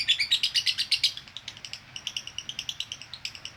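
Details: Female lovebird in konslet chatter meant for training, opening with loud, rapid, rasping chirps that soften after a second into a steadier, sparser series of high ticking notes.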